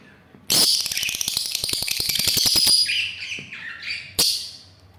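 A lovebird gives a rapid run of sharp, high chattering notes, about twenty in two seconds, then a few squeakier, descending chirps and one last harsh note.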